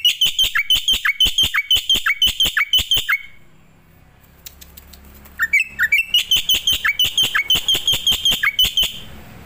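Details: Starling used as master audio for training other birds: a steady train of loud chirps dropping into lower slurred whistles, roughly three a second, then a silent stretch before the same pattern returns.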